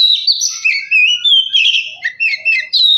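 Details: Oriental magpie-robin song used as a lure to make a reluctant bird sing and get fired up: rich varied whistled phrases, sliding notes and short chirps following one another closely without pause.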